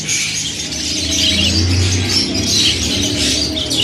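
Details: Pet yellow Australian parrots in Khanewal, Pakistan, chattering in fast overlapping high chirps, with a steady low hum behind the birds.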